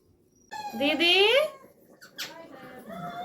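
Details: Pet parrot mimicking speech in a squeaky, child-like voice, with a loud rising-and-falling phrase followed by quieter word-like fragments.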